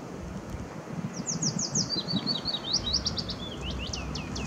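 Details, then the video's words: Singing Willow warbler beside Zeeburgerpad, 2 May 2016, giving one clear strophe: a soft run of slurred whistles falling gradually in pitch, ending in a few brighter upswept notes, with faint background rumble. "zingende Fitis"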